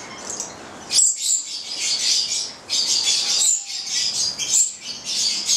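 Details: Italian-bred pair of nine-month-old captive Stella's lorikeets (goliathina) giving shrill, hissing high screeches in bursts, with a brief quiet gap near one second and another around three and a half seconds.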